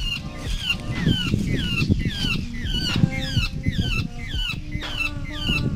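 Large grey babblers give a run of nasal, falling notes, several birds overlapping about twice a second, over steady low rumbling background noise.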